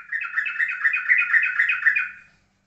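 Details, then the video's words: Yellow-vented bulbul in ropelan-style song, steady and calm: an unbroken stream of rapid warbling notes lasting about two seconds, evenly loud, then fading out, on a quiet background. "Trucukan Ropelan pasti dan kalem"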